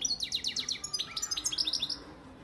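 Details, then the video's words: European goldfinch father bird, Antalya, Turkey, recorded 2018: a lively stream of rapid, descending high twitters and chirps, about two dozen notes in quick succession, fading toward the end. "Saka kuşu ötüm"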